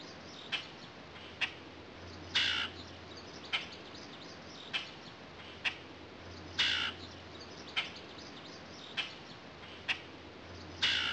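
Common Grackle giving short, dry chack notes about once a second, broken every few seconds by longer harsh, squeaky squawks, over a low steady hum.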